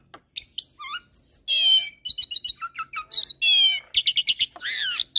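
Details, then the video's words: Lively black-collared starling song blended with Nias myna and hybrid Nias × black-collared starling song: quick bursts of high chirps alternate with longer buzzy, grating phrases and a few low whistles. "Masteran Jalak Suren dan Jalak Nias Dengan Kicauan Jalak Hybrid Nias X Suren Gacor Isian Unik"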